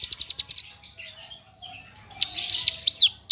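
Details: Javan bush lark of the parva form in full isian song: a quick burst of sharp clicking notes, a hissy buzzy stretch, then loud high slurred whistles.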